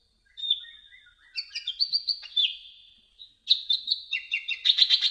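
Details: High, lively olive-backed sunbird (kolibri ninja) song for tutoring songbirds: a thin level whistle, scratchy descending phrases, then a fast rattling trill of sharp notes building at the end.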